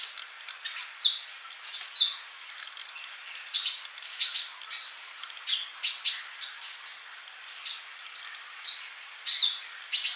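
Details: Kolibri sunbird singing gacor, recorded as masteran training audio: a steady stream of sharp, high, clipped chirps at a brisk even rhythm, about two to three notes per second, bright and piercing throughout.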